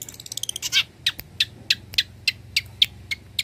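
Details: Energetic Long-tailed shrike, a mimic of small and large birds. A quick burst of ticking notes leads into loud sharp high chips, repeated about three times a second with short gaps.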